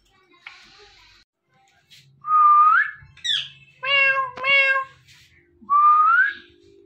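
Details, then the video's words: Talking pet parrot answers a person's meowing with loud rising whistled mews, a high squeak, and two rich harmonic meow-like calls, then one more climbing whistle, in a quiet room. "The Best Talking Parrot"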